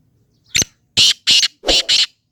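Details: Black francolin, known locally as kala teetar, giving a loud call: a short sharp click, then four harsh, grating, broadband notes in quick succession, the last two closely paired, against an otherwise quiet background.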